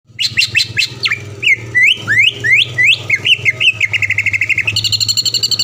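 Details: Caged greater green leafbird, a contest-winning bird from the Palembang area, used as a master recording for training other birds: rapid high whistled and chirping notes, slurred rising phrases, then a fast steady trill at the end over a low hum.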